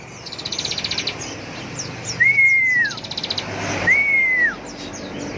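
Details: Bar-winged prinia (ciblek) ngebren singing: short bursts of quick rattling high notes between two long even whistles that fall away at the end; background hiss and Indonesian speech.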